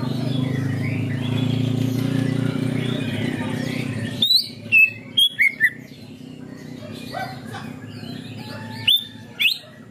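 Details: Canary-imitating song of a greater green leafbird: low droning noise gives way to scattered, abrupt high chips and falling whistle notes in irregular bursts, with short pauses between.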